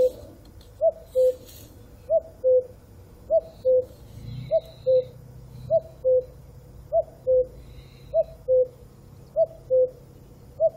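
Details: Cuckoo giving its two-note call, a higher hooted note dropping to a lower one, repeated steadily about every 1.25 seconds, with faint low background rumble.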